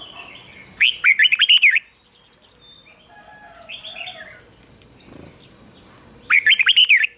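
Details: Decoy red-whiskered bulbul song used to call wild birds: two loud bursts of rapid, looping whistled notes about five seconds apart, with softer high chirps of other birds between them and a constant high-pitched whine.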